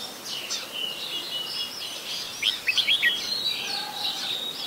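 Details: Adult Red-whiskered Bulbul in Ubon Ratchathani, Thailand, 16 December 2020, giving a cluster of loud, clipped, sliding chirps in quick succession over a steady background chatter of other high-pitched birds.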